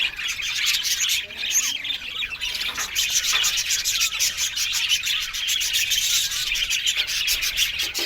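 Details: Budgerigars kept as an aviary colony, a constant busy chorus of thin high chirps and chattering warbles with a few clearer whistled notes.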